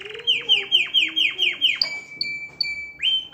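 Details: Canary singing to stimulate females to mate: a run of about seven quick, loud downward-sweeping notes, then sustained high whistled tones broken by short gaps, ending on a rising note.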